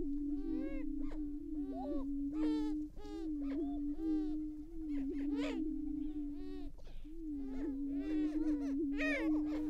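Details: Active greater prairie-chickens at an April 2019 lek, Tympanuchus WMA, Minnesota, early morning: a dense chorus of loud, repeated upswept whoops and cackles rides over a constant low booming drone for about ten seconds.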